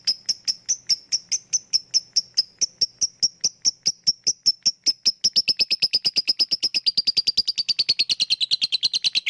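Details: A lovebird goes from ngetik to ngekek in a lure recording meant to rouse lazy lovebirds: evenly spaced high ticks for about five seconds, then quickening, denser chatter that grows buzzier and slides slightly lower.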